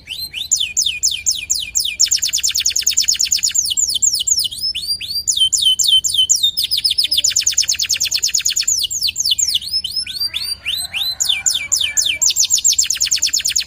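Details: A busy local canary sings continuously for over ten seconds, alternating buzzy rapid trills with sequences of sharp, falling whistled notes, varied and loud throughout.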